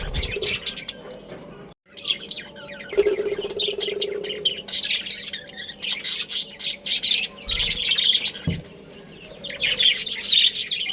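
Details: Budgerigars from a breeding colony kept as a family group. Dense, overlapping high chirps and scratchy warbles come in bursts. A lower steady hum rises briefly around the third second, with a couple of soft thumps.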